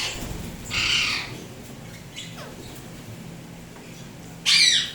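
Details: Harsh screech, a quieter rasp, then another loud screech near the end, given by a tamed Indian ringneck parrot kept as a pet, turquoise blue or turquoise blue harlequin mutation.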